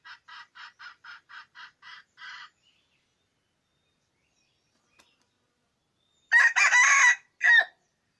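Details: Yellow-and-white wild junglefowl cock being lured in: a run of eight short, harsh, evenly spaced clucking notes, a pause of several seconds, then a loud, rough, broken crow lasting about a second, followed by one short, sharp closing note.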